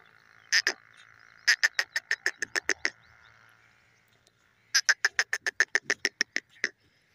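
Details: Francolin, locally called teetar, giving rapid series of sharp, ringing notes, about ten in each quick burst, with a pause between bursts; a faint steady hum sits underneath.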